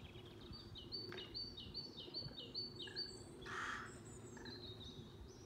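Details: Great tit, male, singing beside a sunflower seed feeder just refilled on a farm in County Kilkenny, Ireland: a bright, ringing two-note phrase repeated rapidly several times over a low rumble and a brief rustling burst.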